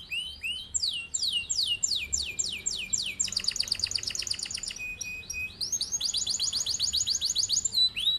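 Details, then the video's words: Male canary in full long rolling song, used to train other birds to sing: quick downward-swept whistles, a fast rattling roll, a steady tone, then rapid repeated trills. "Kenari gacor cocok buat pancingan atau masteran burung"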